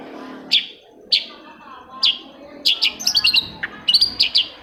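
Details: Long-tailed shrike song used to get stalled shrikes singing: several spaced piercing chirps, then a fast chattering run of high notes, ending in a few more jerky chirps.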